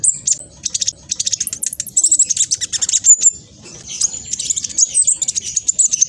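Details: Fast, noisy song of a spotted black sunbird: a nearly continuous stream of very high, sharp chirps and rattling trills, delivered in quick pulses with thin whistled notes threaded between them.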